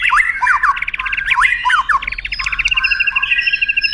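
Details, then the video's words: White-rumped shama song used as a tutor for contest birds, with long prominent phrases: rapid trills of repeated notes, sweeping whistles and harsh chattering notes, ending in a fast even rattle. "MASTERAN "MURAI BATU" dg TONJOLAN PANJANG agar cepat ditiru burung KONTES"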